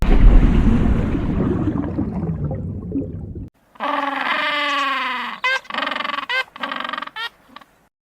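A penguin gives a loud, harsh, braying series of honks after a stretch of surf-like noise.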